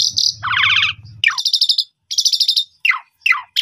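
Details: Asian pied starling (jalak suren) singing energetically in the afternoon, used as a lure recording for training young birds: buzzy rattling trills, harsh downward-sweeping whistled notes and a low growling rattle, delivered in quick bursts with short gaps.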